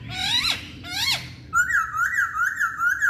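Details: Two harsh rising rasps from a Chinese hwamei, then a rapid rolling phrase of looping whistles held near one pitch.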